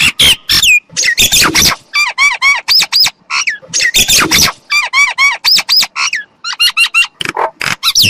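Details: Myna chattering almost without pause: dense bursts of harsh, scratchy notes mixed with clear whistled phrases, some rising and some falling, in an irregular and varied sequence.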